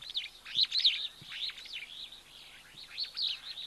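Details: At an African waterhole with giraffes on a live wildlife cam, a large, seemingly happy flock of Wattled Starlings keeps up busy, overlapping chatter of high squeaky and wheezy notes, several each second, over faint low rumbles.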